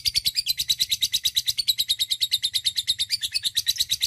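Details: Lovebird in long ngekek chatter, a steady, rapid run of harsh, buzzy notes, about three per second, continuing without a break; recording used to encourage other lovebirds to sing long, with a faint low hum behind.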